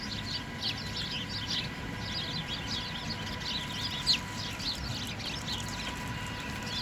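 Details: Many small birds sheltering in a tree in the snow at a downtown Allentown transit center chirp together in dense, overlapping chatter of short high notes, over a steady low rumble of traffic or city noise.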